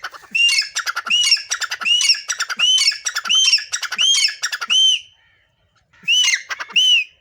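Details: Black francolin singing from a mango tree in a garden with trees: loud harsh grating phrases, each with a ringing arched note, given in quick succession about eight times, a short pause, then two more phrases.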